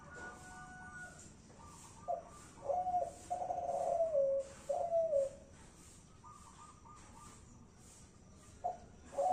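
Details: Cooing of a Kelantan-type spotted dove: a cluster of soft, low descending coos in the middle, one more coo at the end, with faint higher tonal sounds in between.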